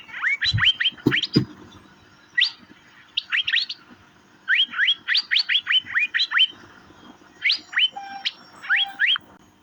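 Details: Asian fairy-bluebird chirping in a master recording: bursts of quick upswept notes climbing steeply, grouped in rapid runs of three to five with short pauses between, over a faint low hum.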